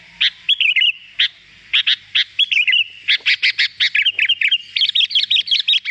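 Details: Sooty-headed bulbul in a lure recording for attracting wild birds, giving loud, bright, bubbly chirps and short warbled phrases, mid-high and rapid, in irregular bursts throughout.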